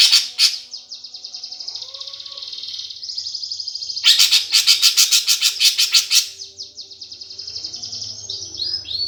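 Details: Greater green leafbird performing a fighting-sparrow style song, a lure meant to spur competition birds into strong singing. Loud, rapid, high chattering bursts of rattling chirps alternate with sustained shrill twitter, ending in softer notes.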